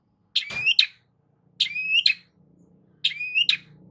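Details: Long-tailed shrike song used as a lure to prompt a silent shrike to sing: a buzzy burst that slides into a rising whistle and ends with a harsh note, repeated about every 1.3 seconds, with a faint low hum beneath.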